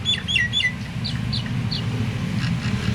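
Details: Myna singing to prompt quiet mynas to join in: three fast descending whistled notes, then short downward-sweeping chirps, backed by steady low traffic-like rumble.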